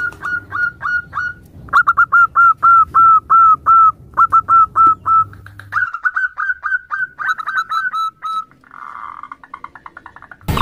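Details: Zebra dove call: runs of short, clear whistled notes, each slightly falling, repeated rapidly in bursts of four to six, with a few fainter higher notes from other birds near the end.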